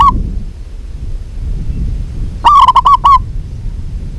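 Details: A local zebra dove hen calls for a male: the tail of one coo phrase at the start, then a single loud, rapid run of five or six pulsing coo notes, over a low murmur of noise.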